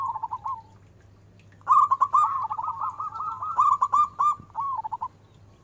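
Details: Big-voiced local zebra dove, used as a lure: a brief rolling coo, a pause, then a long fluent trill of quick bubbling notes ending in a falling flourish, over a low hum.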